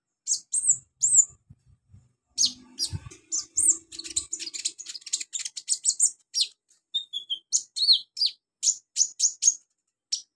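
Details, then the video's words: Olive-backed sunbird in a training recording for beginner birds: sweet high whistled notes leading into a dense chattering string of rapid chips, with a faint low hum in the middle. "MASTERAN KONIN/KOLIBRI NINJA buat konin pemula cepat gacor"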